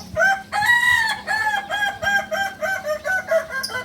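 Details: Beginner Balenggek rooster, a native chicken of Solok, West Sumatra, crows one long opening note and then a staggered run of about ten short, loud, rising-and-falling harmonic syllables, fairly evenly spaced, over a faint low hum.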